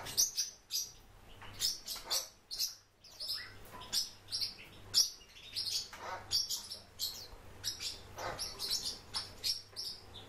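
A warbling white-eye gives a rapid, high, thin twittering warble of bright chirps and tinkling notes, running almost continuously with only brief pauses.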